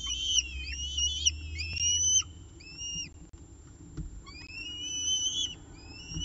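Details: Peregrine falcon nest at CSU Orange, evening meal on 18 October 2018 at 6:51 pm, nestcam: drawn-out high whistles, some falling and some rising, a few short separate notes between longer overlapping tones.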